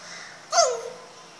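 A grey parrot gives one brief, hoarse call that starts bright and slides down. It lasts under half a second, with a faint indoor hum behind it.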